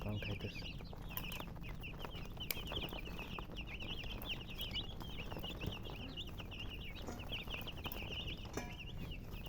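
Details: Baby chicks chirping in a steady stream of high, bending peeps, many overlapping and repeated several times a second, with a low hum and faint knocks beneath.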